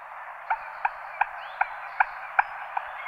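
Common moorhen giving sharp, clipped kek notes about every 0.4 seconds over a steady hiss of background noise.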